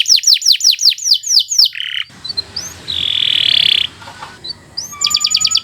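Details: Canary singing tutor song for training other birds: a string of downward-sliding whistles, then a quieter stretch with a single buzzy note and a brief high trill at the end.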